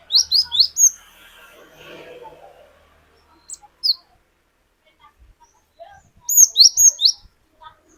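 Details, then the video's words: Cinereous tit (glatik batu) used as a singing lure, 'wucit wucit' style: a quick burst of four high whistles, then a soft rustling, scattered single notes, and a second rapid run of five sharp notes. "Pancingan Burung Glatik Batu Gacor Glatik Batu Bahan Auto Ngeplong Wucit Wucit Panjang"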